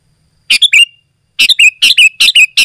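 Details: Lively sooty-headed bulbul song for calling other bulbuls and tutoring home birds: one brisk warbled phrase, a pause, then a fast string of chattering, whistled notes with slurred endings.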